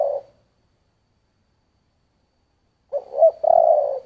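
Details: Spotted dove singing giọng thổ style. The tail of one coo is followed by a pause of over two seconds, then a full phrase: two short notes and a long, warm, low coo.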